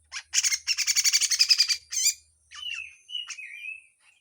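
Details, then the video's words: Harsh full song of the Grey-cheeked bulbul with raspy sweeping phrases, a tutor recording: a fast grating rattle of rough notes, a twisting squeal, then two drawn-out wavering whistles. "MASTERAN CUCAK JENGGOT FULL KASAR DAN BESETAN"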